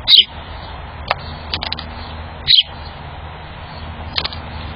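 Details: Chipping Sparrows in a backyard, one giving sharp, high chip notes: two loud, well-spaced chips with fainter scattered ones between, over a low background hum.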